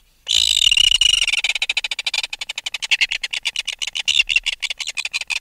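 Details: Close-up alarm calling by an adult red-billed tropicbird lifted from its nest: a raspy, high scream followed by a long series of rapid, evenly repeated shrill pulses.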